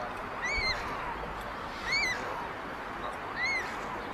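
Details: White stork nest on a chimney in Ságvár, Hungary, 22 May 2024, where older siblings steal food from the youngest chick: three separate clear arched calls, each rising then dropping, spaced about every one and a half seconds over soft hiss.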